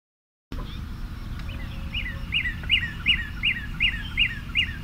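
A Northern Cardinal sings a quick series of about eight clear, slurred whistles, 'purdy, purdy, purdy', each note dropping in pitch. A low rumble sits underneath.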